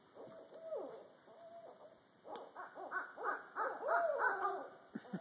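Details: Two wild Barred owls gathered in trees overhead, calling back and forth in a crazed, monkey-like part of their mating call: a few wavering hoots, then a rapid overlapping cackling chorus of rising and falling whoops, with insect hum.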